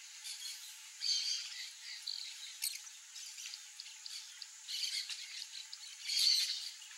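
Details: Wild peach-fronted parakeets (Eupsittula aurea) calling in a rough, irregular chatter of raspy squawks, loudest around the first second and again toward the end, over a steady high hiss.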